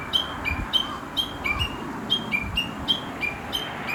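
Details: In the countryside, a wild Chinese hwamei sings its chattering morning song: clipped high whistles, each falling slightly, repeated at a quick even tempo over soft background rumble.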